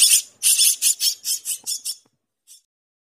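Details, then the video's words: Myna chicks begging while being fed: harsh, hissing rasps, about eight quick bursts in two seconds, then a pause and one fainter rasp. "myna birds baby feeding"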